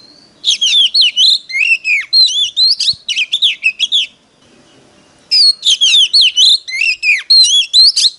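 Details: Oriental magpie-robin used as a decoy, singing combatively to draw in wild birds: about four seconds of lively, tumbling whistles and chatter, a brief lull, then further rapid looping whistled phrases.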